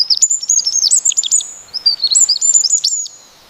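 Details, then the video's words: Wild bird singing a lively, high-pitched phrase of quick varied whistles and sharp slurred notes, then stopping abruptly, over faint steady background hiss. "Kicauan burung di alam liar"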